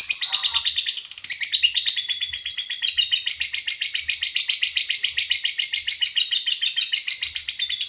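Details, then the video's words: Lovebird giving ngekek chatter, used as a lure to provoke other lovebirds: a long, loud, fast run of high, buzzy, rattling notes, steady and unbroken for about eight seconds, with faint low thumps beneath. "Pancing love bird paud ngekek"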